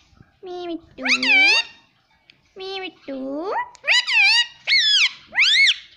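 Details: Talking green ring-necked parrot, a house pet, repeating speech-like words such as mummy: paired low-then-rising syllables followed by several higher arched word calls in close succession.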